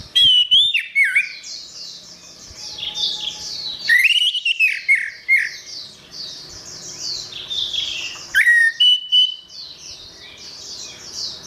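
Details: Orange-headed thrush song for a bird that stopped singing: loud whistled phrases with quick slurred notes return roughly every four seconds, with busy high twittering of other birds between them.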